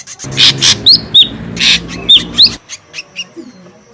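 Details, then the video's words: Ashy drongo, noisy lure calls: loud harsh rasps alternating with sharp hooked whistled notes, fading into softer, more distant notes at the end. "SUARA PIKAT SRIGUNTING RIBUT | SUARA PIKAT SRIGUNTING ABU ABU"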